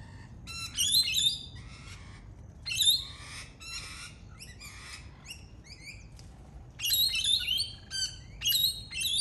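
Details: Lorikeet, a native Australian parrot, with noisy raucous calls: rapid bursts of harsh, shrill screeching and chatter, rising and falling in clusters over about nine seconds.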